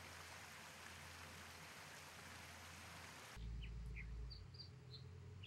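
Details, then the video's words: American dipper (Cinclus mexicanus) on the Sunshine Coast of British Columbia giving a few short, high chirping notes in quick succession over the steady roar of rushing water. "Sweet sounds of the American Dipper"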